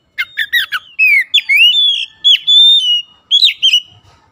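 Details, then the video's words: Oriental magpie-robin in loud, open-throated song. Quick chipping notes lead into long pure whistles that swoop up and down and are held steadily. The phrase ends with a brisk twittering flourish. "PANCINGAN KACER LELET BISU | PASTI AKAN IKUT GACOR NGEPLONG GACOR"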